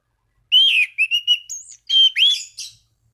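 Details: Orange-banded thrush song used to provoke rival thrushes into singing, made of loud pure whistles, several short repeated notes, a high upslurred note, and a final burst of whistled phrases within three seconds.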